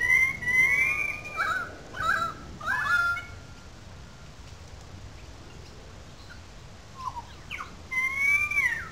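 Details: Several currawongs in good form calling loudly above the wetlands in Sydney Park, St Peters, Sydney; three quick bursts of ringing, slurred whistles, a quiet pause, then two more whistled phrases near the end.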